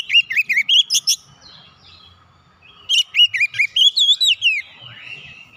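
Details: Oriental magpie-robin, locally kacer, singing, used to encourage a silent bird to resume song: two energetic bursts of rapid, rising-falling whistled notes separated by a quiet pause.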